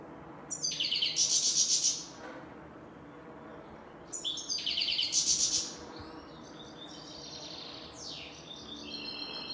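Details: Chir-chir calling of a European goldfinch, grey-headed or black-headed form: two loud bursts of high, buzzy, rattling twitter about four seconds apart, followed by softer thin descending notes.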